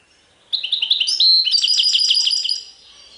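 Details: A European goldfinch delivers Serfati Tiwawati style song: a short phrase of sweet, high chirps, then a run of rhythmic, repeated twittering notes that fades out, with nothing else audible.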